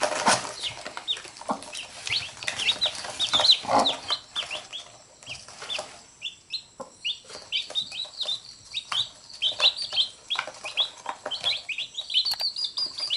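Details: Hen and her brood of chicks interacting, chicks biting and the mother picking at them: scratchy rustling and scattered peeps at first, then a steady stream of sharp, high, falling chick cheeps.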